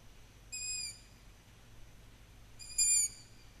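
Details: Young long-eared owl in July 2020, begging with its call to get its parents to feed it: two high, squeaky whistled notes about two seconds apart, each lasting half a second, in a quiet background.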